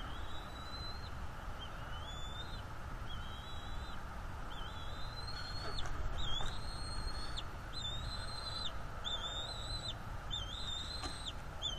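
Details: Bald eagle juvenile on the nest, April 19, 2021, claiming fish from its parents: soft, distant series of high whistled notes, rapid and uneven, growing busier midway, against constant wind rumble.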